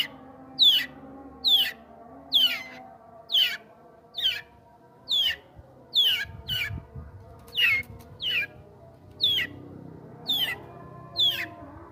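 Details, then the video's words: Sooty-headed bulbul in an owner's care repeats short, piercing, falling notes roughly once a second, a dozen in all, with a faint low rumble and hum underneath. "burung suara kutilang"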